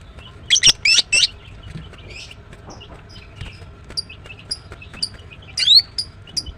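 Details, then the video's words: Female greater green leafbird, a caged songbird kept for its morning singing, giving bright, high chirps: a burst of three loud buzzy notes early on, then scattered thin short tweets and a louder twittering phrase near the end. "The female Green Cucak bird is chirping well"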